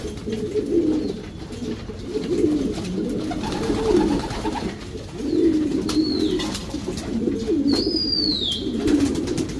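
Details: Racing Homer pigeons in a breeding loft section giving low, throaty coos in rolling phrases roughly every one and a half seconds, with faint higher chirps and clicks and a room-like background.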